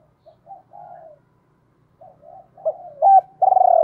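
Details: Decoy spotted dove starting its two-ending coo, with quiet low murmured notes building into a clipped loud note and a final long trilled, purring coo.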